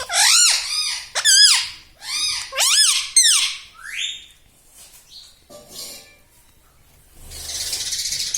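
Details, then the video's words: Pet talking parrot squawking loudly in four or five rapid, harmonic bursts that bend up and down. A quiet gap follows, then a hiss of broadband noise at the end. "parrot talking everything"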